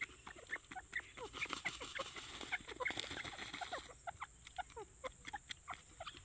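Grey partridges chatter in a busy stream of short, scratchy, overlapping calls, several birds calling at once with quick clucks and rasping notes.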